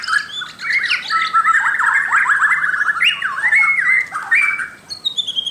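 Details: Singing white-crowned shama delivering fast, chattering phrases of jumbled up-and-down notes, slightly harsh in places, followed by a few clear whistles and a high thin note at the end.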